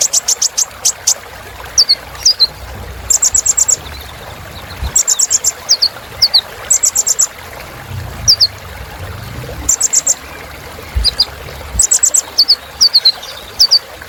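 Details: Kolibri ninja sunbird singing a filler song for cage-bird training: rapid high chip bursts alternating with paired thin downslurred whistles, repeated steadily over a soft background hiss.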